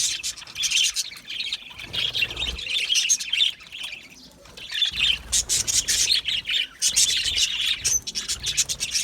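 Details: Flock of budgerigars kept in an aviary, chirping loudly in rapid high twitters and warbles, with a brief lull near the middle before the chatter resumes.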